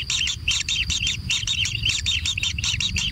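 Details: Nestling kingfishers begging as they are fed in a natural nest: quick series of harsh, scratchy high notes in close pulses, roughly twice per second, with low hum beneath.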